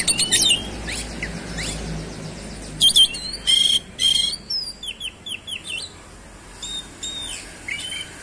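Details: Kacer (oriental magpie-robin) in vigorous 'roll speed' song showing its 'isian' material: scratchy opening notes, then loud whistled bursts and a run of quick downslurred chirps, followed by softer twitters.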